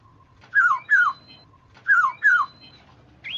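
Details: Black-naped Oriole sound played to lure other orioles into calling. Paired slurred whistles fall in pitch, given twice in quick succession, and a short higher note closes the passage over a faint steady hum.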